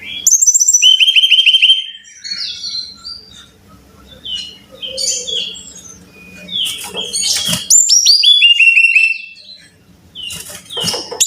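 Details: Brown-chested jungle flycatcher song used as a training track for caged birds: repeated rapid series of ringing whistled notes, with quieter chirps, clicks and a soft low hum between bursts.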